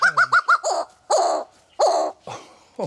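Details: An excited Greater Bird-of-paradise repeatedly interrupts a narrator: four quick, ringing nasal notes, then a string of loud, harsh, honking cries about every half second.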